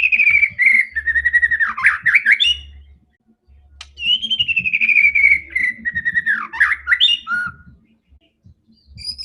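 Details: White-rumped shama in full, aggressive fighting song, used to provoke other shamas: loud whistled phrases that glide downward, then burst into rapid twisting notes, two long runs separated by a pause, over a low intermittent rumble.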